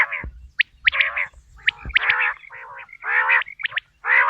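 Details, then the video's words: Quail calling for hunting. Short clipped notes alternate with rough, gargling bursts in an irregular run of about one call per second, and a faint low thump sounds near the start. "بٹیر کی آواز"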